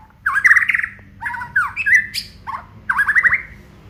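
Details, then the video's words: White-rumped shama of the Aceh type, singing its full repertoire: three bright whistled phrases, each a quick run of rising and falling notes, some buzzy and slurred, separated by short pauses, with faint low background hum. "FULL KICAUAN BONGKAR ISIAN MURAI BATU ACEH"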